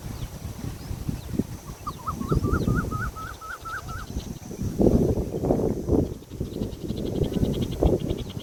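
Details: Indian peafowl peahen giving a run of about eight short, evenly spaced, mid-pitched upslurred notes lasting about two seconds, over steady low rumbling noise.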